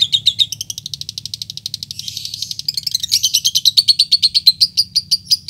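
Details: Calling lovebird used as a lure for rivals: a dense, fast ticking chatter that blurs into a raspy buzz midway, then resolves into loud, regular high chirps repeated roughly three per second.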